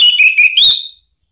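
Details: Orange-headed thrush song used as a lure to provoke another bird into singing: a single loud, clear whistled phrase about a second long, wavering slightly then rising at the end before stopping.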